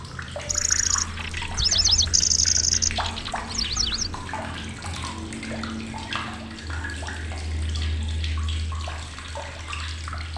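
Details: Lanceolated warbler, a migrant species arriving in Indonesia, singing loudly and shrilly. Brief insect-like high reeling bursts and fast zigzag notes stand out against busy chirps, a low droning hum, and splashing-water noise.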